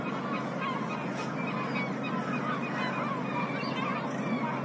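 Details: Urban black-headed gulls calling together, a dense wash of short, hoarse, slightly downslurred cries from many birds at once, with a constant low engine-like drone underneath.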